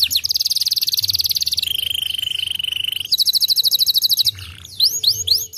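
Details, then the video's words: Singing Gloster canary delivers a long, fast, even rattling trill, shifts to a steady lower buzzing roll, returns to a high rapid trill, and ends with looping upswept whistled notes. "gloster noz, além de bonito cantando muito"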